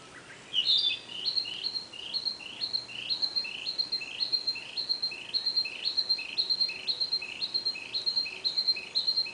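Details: Narcissus flycatcher in an extended long song: a steady chain of clear, high two-note whistled phrases, repeated about twice a second for many seconds, over a soft background hiss.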